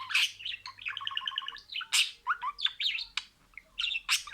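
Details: Budgerigar imitating a string of words: a run of evenly pulsed speech-like syllables, then sharp clicks, rising and falling whistles, and raspy bursts.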